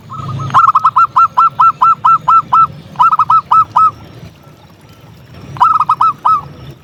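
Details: Persistently singing local zebra dove, played to excite and draw other doves: loud phrases of quick hooked cooing notes, first a long run of about eleven, then shorter groups of six and four after pauses.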